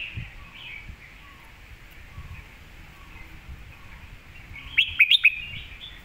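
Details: Red-whiskered bulbul master song for teaching birds: after several seconds of faint murmuring, a short run of three or four sharp, bright whistled notes bursts out near the close.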